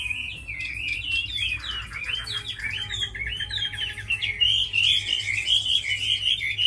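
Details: Chinese hwamei, a tame bird praised for fighting and singing, pouring out varied whistled phrases: quick rising and falling slurs that build into brighter, clearer repeated notes toward the end, over a steady low background hum.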